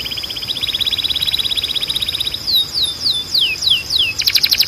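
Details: Canary song meant for training young canaries: a long rapid rattling trill of repeated notes, followed by several slurred downward whistles and a burst of fast clicks.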